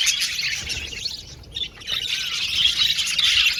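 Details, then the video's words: Male blue budgerigars in an aviary colony, a dense overlapping mass of squawky, scratchy chirps and warbles with a dip in the middle. "Beautiful budgies chirping sound"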